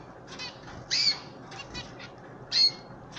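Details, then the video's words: Hand feeding of pet canaries, old bird and chicks; loud, high, harsh calls given twice about one and a half seconds apart, with softer chattering notes between them and a little background rustle. "Hand Feeding my Old and chicks Canary bird"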